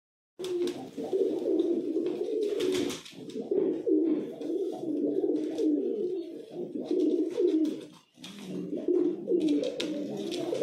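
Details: Pigeons (kabutar) kept indoors cooing: low, throaty, rolling coos run on almost continuously with brief pauses, several overlapping, along with occasional rustling and soft clicks in a small room.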